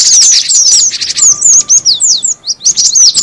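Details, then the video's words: Cinereous tit lure call: rapid, dense high-pitched chirps and sharp downslurred tweets in quick bursts, with brief gaps near the end and a faint steady low hum underneath. "suara pikat burung gelatik batu"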